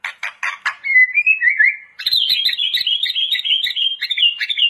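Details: White-rumped shama gacor song for training, starting with dry clicking bursts, then a wavering whistle, then a rapid high chattering warble.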